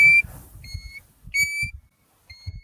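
A European Golden Plover gives four clear, plaintive whistled notes, each short and level or slightly falling, spaced under a second apart, over a faint low rumble.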